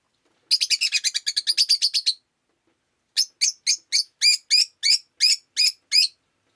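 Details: Rosy-faced lovebird on a rainy day opening with a rapid chattering burst of about twelve harsh chirps, then after a pause a slower series of single shrill chirps.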